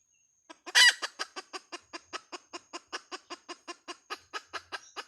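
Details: Opening with a loud harsh squawk, a hen then delivers a fast, regular train of short clucks, about four each second, fading slightly toward the end.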